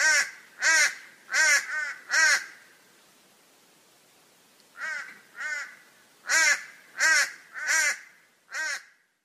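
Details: Raven from the Australia, Oceania and Southeast Asia region giving harsh, nasal caws with a wavering, bleating quality, in two bursts: five caws in quick succession, a pause, then six more at an uneven pace.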